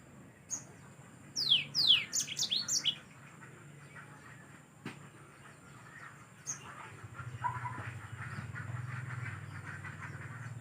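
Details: Yellow-fronted canary used as a song tutor for other birds, giving a short burst of high descending whistles and chips near the start, followed by quieter background noise and a low hum.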